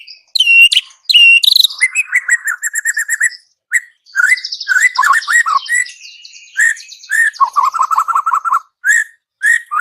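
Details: White-rumped shama song, a rich varied medley of loud whistles, buzzy churrs and fast descending slurred notes in quick succession, with brief pauses between bursts and a low warbled trill near the end.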